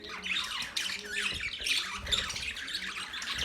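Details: Budgerigars giving a steady, busy warble of high chirps, squeaks and scratchy notes that overlap without pause for the whole stretch.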